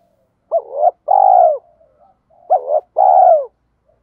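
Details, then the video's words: Spotted dove cooing in the local 'thổ' voice style, used as a lure to train birds: two-part phrases, a short wavering note then a longer level coo, repeated about every two seconds, with soft low murmurs between. "Thúc gù gáy gọi/ tiếng Cu gáy mồi giọng thổ pha đồng hạp bổi kích mồi luyện bổi"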